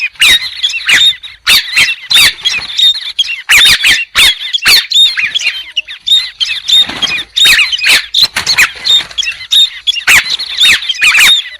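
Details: White-crested laughingthrush giving a long, rolling outburst of raucous chatter, with loud clicking squawks and squeaky whistles rising and falling in intensity.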